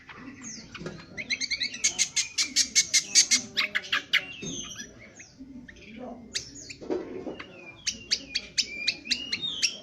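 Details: Indonesian honeyeater giving its harsh 'ngriwik kasar' twitter for bird training: a fast, dense trill of metallic notes lasting about two seconds, a pause with scattered chirps, then another rapid run of sharp notes.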